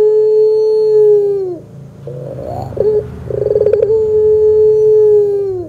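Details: Ringneck dove of the pelung type, a lure recording for getting doves to sing: a long steady low coo that falls at the end, a short rattled break, then a trilled start swelling into another drawn-out steady coo.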